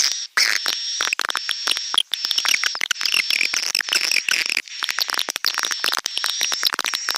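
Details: Swiftlets twitter in a lure recording, a continuous buzzy mass of fast clicking chirps laid over a sustained high whine, broken by a few short silences.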